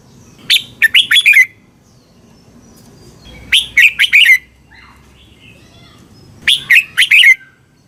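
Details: Red-whiskered bulbul song played to train or excite caged birds in Thailand: short bursts of four or five rich, bubbling notes around 2–4k, repeated about every three seconds, with a faint low hum beneath.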